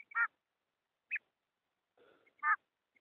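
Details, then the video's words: Female rain quail call played as a lure for quail hunting in Pakistan: short rasping notes spaced roughly a second apart, a faint lower murmur between them, the recording otherwise quiet. "batair hunting/female sound"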